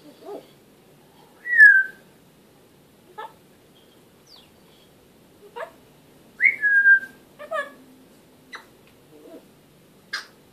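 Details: African grey parrot talking and whistling: clear whistled notes that rise and then fall, with scattered clicks and short chirps in between, in otherwise quiet surroundings.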